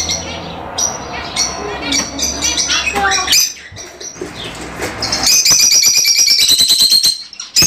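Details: Caged Fischer's lovebirds sing to spur pairing and mating. Scattered high chirps and squeaks with a low hum at first, then a loud, continuous shrill chattering of several birds in the last seconds.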